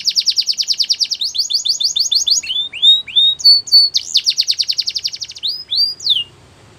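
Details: Singing canary delivering fast buzzy trills of high repeated notes, then a series of upward-curving whistled sweeps and a steady held tone, ending in a descending slur before falling quiet.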